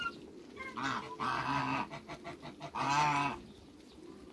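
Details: Backyard group of African geese, two males and one female, among other waterbirds, sounding a few harsh honks of moderate loudness over a low background hiss, with softer clucking notes between them.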